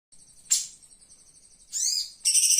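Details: Flowerpecker recorded live as a master recording for training cage birds: thin, very high notes, one sharp accent, then a rising buzzy phrase and a dense high trill at the end.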